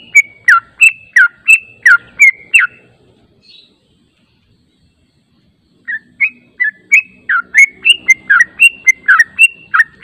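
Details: Lure recording of yellow-vented bulbul song used to draw a reply: a burst of bright slurred chirps, a three-second pause of near silence, then a livelier, denser run of chirping notes.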